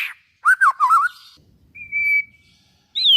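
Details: White-rumped shama song to stimulate other shamas: a looping warbled whistle phrase, a pause, then a steady clear whistle and a sharp high falling note.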